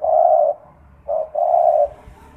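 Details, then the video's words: Spotted dove lure call at night, intended to draw other doves into calling. Long, smooth, low coos: one drawn note, a short break, then a brief coo running into another long held note. "Pancingan Derkuku Kuk 2 malam hari"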